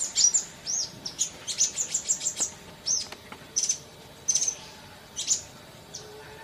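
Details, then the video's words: Sunbird song from a masteran recording: thin, very high chirps and short arched whistles in quick runs, a fast burst near the start, then spaced single sharp notes; quiet background hiss. "Masteran Kolibri cepat bunyi!!"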